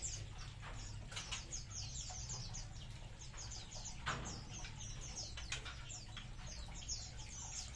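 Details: Munia colony chirping: repeated high, downslurred notes in overlapping bunches, partly masked by heavier low rumbling background noise and a few sharp broadband clicks.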